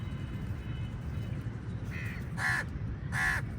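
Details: Crows squabbling with eagles over a meal; three harsh caws, the first softer, the last two louder and closer together, over low outdoor rumble.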